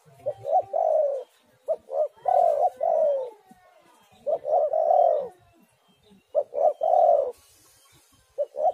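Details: Spotted dove, a lure recording meant to make doves sing. Three cooing phrases roughly two seconds apart, each two or three clipped notes leading into longer, fuller coos, with a faint hiss near the end.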